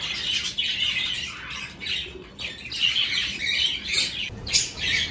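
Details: Budgerigars in a breeding aviary with clay pots, breeding season under way; overlapping squawks and chirpy warbles in uneven bursts, short gaps between louder peaks of chatter.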